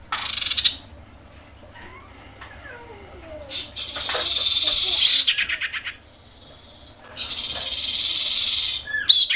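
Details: A breeding-condition female common iora calls for males with long, dense, buzzy rattles that stretch up to a second or more. Softer chattering fills the gaps, and low gliding whistles from other birds sound early on.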